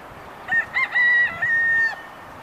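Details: Free-roaming rooster at a roadside refuge in Kaneohe, crowing once: two short clipped opening notes then a long level, slightly hoarse drawn-out note, about one and a half seconds total, over steady low background noise.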